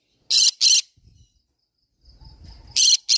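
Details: Green-cheeked conure calling with two quick rasping screeches, a lull with soft low fumbling noise, then another pair of harsh screams.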